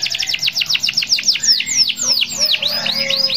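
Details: Singing canary in full, vigorous song used to prompt other canaries to sing along: rapid repeated high downward-sweeping notes, a fast trill, then looping rising phrases and a lower sustained tone.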